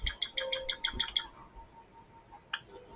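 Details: Java sparrow giving a rapid run of about eight high, bright chirping notes over a second, followed by quieter scattered sounds and a short clicking note.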